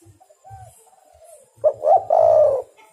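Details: Spotted dove calling as a lure to draw wild doves for trapping: a few soft low notes, then a loud burst of throaty cooing, three rolling coos over about a second, with a faint background hum.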